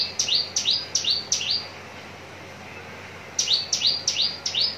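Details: Contest-ready Javan bush lark recorded at Citra Raya, Cikupa, Tangerang: a run of four bright, descending chirps, a pause of about two seconds, then five more identical sharp downslurred notes in quick succession.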